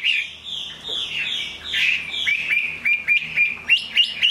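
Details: Chinese hwamei in rainfall: a warbled phrase gives way to crisp, evenly spaced whistled notes, each quick and upward-flicked, about four per second.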